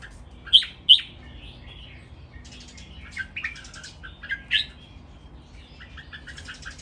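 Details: Caged red-whiskered bulbuls, three birds, in a training master song: two sharp, loud whistled notes open, then softer, scattered chirps and short fluty phrases spread thinly across the rest.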